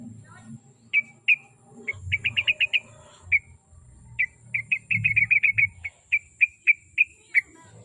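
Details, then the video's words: Sooty-headed bulbul song for luring a caged bird into song: scattered sharp chirps, then rapid clustered runs of similar bright notes, steadier single notes closing, with soft low background noise. "KICAU SUARA BURUNG TRUCUK PACINGAN BIAR RAJIN BUNYI"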